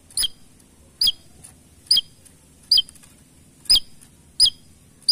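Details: Javan tesia, a small bird with a sharp, piercing voice, in active full song: a single crisp, high note that dips in a quick hook, repeated about every second, seven times, against a quiet background.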